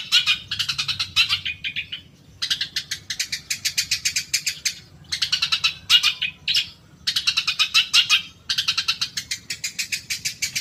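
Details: Long-tailed shrike song played to provoke caged birds to sing: long runs of fast, harsh, scratchy chattering broken by short gaps, continuous and energetic throughout.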